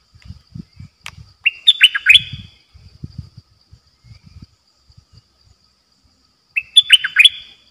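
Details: Decoy red-whiskered bulbul in a cage giving dok taeng style song: two loud bursts of rapid, tumbling whistled notes separated by a few seconds, with soft low knocking sounds in between.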